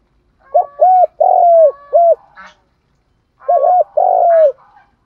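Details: Spotted dove lure call, 'thúc gù' style: paired short hoots then a long drawn, slightly falling coo, a further short hoot after the first phrase, the pattern given twice with a brief chirp in the pause.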